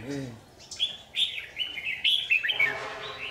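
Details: Red-whiskered bulbul used as a trap lure, 27 January 2019; a low human voice at the start, then sharp bright whistled notes and quick warbled phrases over a soft murmur.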